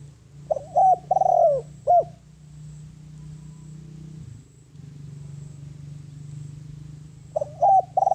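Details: A lure spotted dove calling in wild doves: one low four-note cooing phrase, then about five seconds of only a low engine-like hum, then the phrase begins again.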